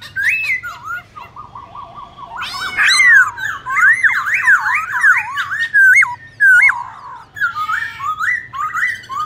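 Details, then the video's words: Laughingthrush (black-throated) singing in contest style to stir other birds: a steady whistled note, then a long loud stream of zigzag and looping whistles, closing with short rising and falling phrases. "Khướu bạc má hót đấu nhiều giọng kích bổi cực sung"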